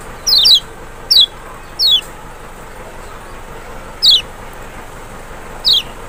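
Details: Lemon-bellied white-eye, Zosterops chloris maxi of Lombok or Sumbawa, in a lure recording meant to draw a reply from a reluctant bird; six short descending whistles, early ones closer, later widely spaced, over a steady background hiss.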